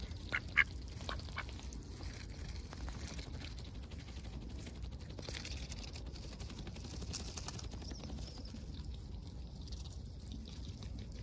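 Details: Ducks on a heavily overcast day, lively and going about their routines, recorded at close range; a few short quacks early on, then scattered softer calls over a steady low background rumble.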